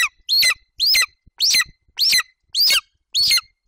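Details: Young male golden eagle at a Bucovina nest on 27 July 2021, standing over a freshly delivered Eurasian hare while his mother is nearby. Six shrill, downslurred chirping yelps come steadily, about two each second.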